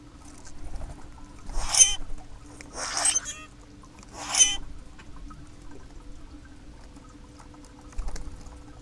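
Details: Common grackles in a group give three harsh, squeaky, rasping calls about a second apart, each with a thin metallic squeal, over a low steady background hum.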